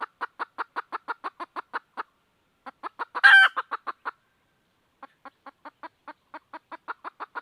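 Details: Red junglefowl hen seeking a rooster: rapid, regular clucking in three runs, the middle run punctuated by a loud, coarse squawk, the last run softer at first.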